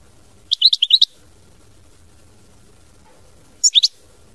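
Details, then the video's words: European goldfinch singing: a quick run of five bright, high tinkling notes, a long pause, then three more sharp twittered notes, over a quiet background. "Chant Chardonneret mama binette"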